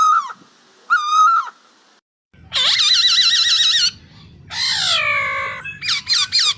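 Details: Red-headed lovebird in forest gives shrill, wavering squeaks, then louder harsh warbled chatter in several bursts, with a faint low rumble behind.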